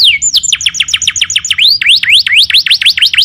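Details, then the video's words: Canary in full, energetic song, delivering rapid repeated downward-sweeping whistled notes, then a run of quick V-shaped rising and falling notes, bright and high-pitched throughout. "Suara kenari gacor"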